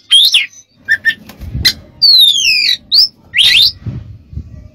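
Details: Oriental magpie-robin singing for use in training other birds, with long clear whistles sliding downward, a rising whistle and rasping notes; faint low rumbling underneath.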